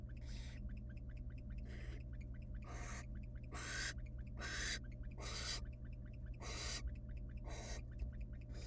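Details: Wild barn owl chicks beg noisily as the female feeds them small pieces of rabbit in a monitored nest box; about ten harsh hissing screeches overlap with rapid ticking chatter, over a steady low hum.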